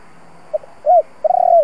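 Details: Spotted dove giving a kích bổi coo used to stir decoy doves: two soft short hoots, then a clear curved coo and a long, slightly wavering drawn-out final note, all low and mellow on a quiet background.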